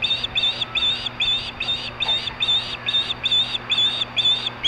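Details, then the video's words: Fish-begging screams of an osprey at Hellgate, 2014, 4:19 PM: a regular train of about ten high, strident whistles, somewhat softer, over a hissy background. "Hellgate Osprey 2014 About 3 Screaming for fish 4:19 PM"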